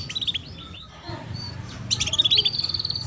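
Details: Female canary chirps played to stimulate young canaries into early song; scattered high tweets, a pause, then a rapid buzzy trill rising in loudness toward the end, against a low rumble.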